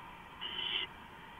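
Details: At 4:45 AM on 6 April 2015, three owls gathered inside a cam housing; a single harsh, hissing screech of under half a second against a quiet humming background.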